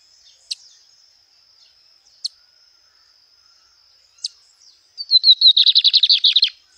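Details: Wild lined seedeater song: three isolated sharp chirps spaced about two seconds apart, then a quick falling whistled lead-in bursting into a dense rhythmic buzzing trill, a constant high whine in the background.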